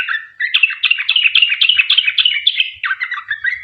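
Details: Sooty-headed bulbul singing the long 'ropel' style, played as a lure so other bulbuls respond. A short opening phrase, then rapid chattering notes at roughly three to four per second, slightly slowing near the end.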